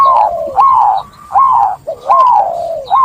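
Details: Zebra dove cooing in long, smooth, slurred notes that rise briefly and then slide gently downward, repeated about every 0.7 seconds with short gaps between.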